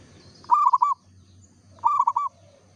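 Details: Local zebra dove singing: two short cooing phrases a little over a second apart, each a fast run of rounded, rolling notes, with low hum in the background.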